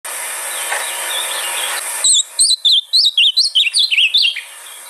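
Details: Ultramarine grosbeak song played to stimulate a caged bird to sing: after a hissy start, a rapid run of clear whistled notes rising and falling in quick succession, descending overall toward the end.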